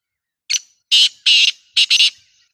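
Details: Black francolin (kala titar) calling loudly and clearly: a short opening note followed by two long grating syllables, a gap, then a doubled harsh burst, all harsh and buzzy.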